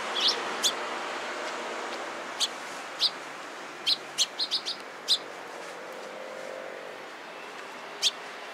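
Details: Eurasian tree sparrows gathering around a person, recorded 27 April 2017: short bright chirps scattered irregularly over about eight seconds, a quick cluster midway, over steady low background hum.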